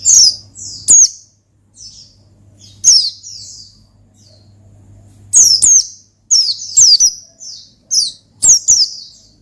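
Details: Gacor ngalas song of an Oriental white-eye, meant to call and stir up a rival bird. High, thin, downslurred chirps come in clusters, some run into short trills, and there is a brief quiet gap near the middle. A low steady hum sits beneath.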